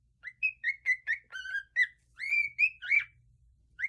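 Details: Pet cockatiel giving a quick run of clear whistled notes, short chirps mixed with longer wavering whistles, over a faint low background hum.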